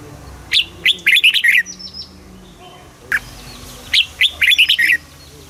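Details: Southern master-style song of a caged Red-whiskered Bulbul, Thailand, used to rouse birds and train chicks: a rapid chain of sweet warbled notes, a lone clear note, then another fluttering phrase.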